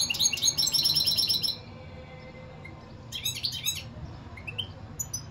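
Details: Rapid, jingling goldfinch twitters open the recording, followed after a pause by a second shorter burst and a few scattered thin rising notes.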